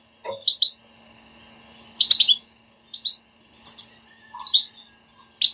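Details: Stimulating بتبتة song of a European goldfinch, meant to make a silent kept goldfinch start singing. Clusters of high tinkling chirps and buzzy twitters are separated by brief pauses, over a faint background hum.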